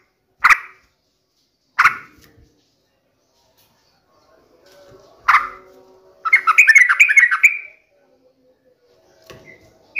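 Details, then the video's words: Sooty-headed bulbul in full voice, played as a lure to get a kept bird singing. Three loud raspy chack notes at uneven gaps, then a fast, jumbled, bubbling phrase lasting over a second, with a faint low hum beneath. "pancingan trucukan gacor"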